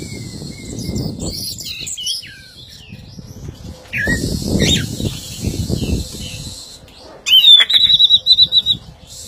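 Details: Female orange-headed thrush described as stalled, not in full song: scattered thin high chirps and short upslurred notes, then a loud sustained high whistle broken into rapid notes near the end, over steady low rumbling background noise.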